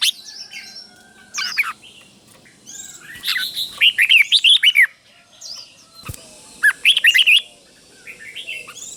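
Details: Red-whiskered bulbul teacher bird giving doubled song phrases to stimulate caged birds: scattered chirps, then two tight bursts of looping whistles, roughly three notes a second, with a single click between.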